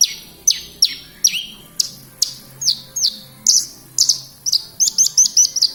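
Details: Horsfield's bush lark from Kediri, Indonesia, singing actively ('gacor'): sharp descending whistles spaced about half a second apart, speeding into rapid clipped stuttering notes near the end.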